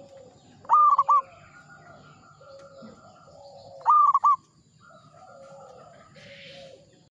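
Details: Local zebra dove (perkutut lokal) in lively song: two loud, clear, whistled three-part phrases about three seconds apart, each a long note followed by two short ones, over soft, low cooing from other doves.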